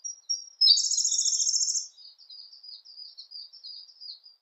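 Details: Siberian blue robin: a few faint high notes lead into a loud, fast, rattling trill lasting over a second, then a soft, wavering twitter.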